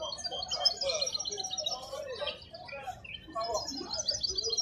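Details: Wild goldfinch singing at the Al-Qurai'a bird market: bright twittering phrases of quick high notes and trills, a brief pause near the middle, then more chattering song, with other market birds and low crowd noise behind.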